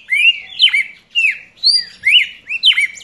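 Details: Juvenile red-crested cardinal gives quick whistled notes, each a bright upward slur dropping sharply, repeated roughly twice per second in a lively, uneven rhythm.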